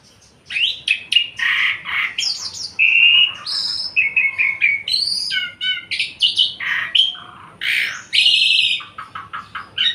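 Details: Javan pied myna, a cage bird in full song: rapid alternation of scratchy broadband notes, clear whistled phrases and chattering trills, delivered in a nonstop stream over ten seconds with a quiet background.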